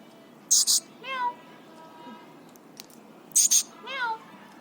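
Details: Pet Alexandrine parakeet, three years old and happy, alternates double harsh screeches with falling, whining imitated notes, the pattern repeated twice.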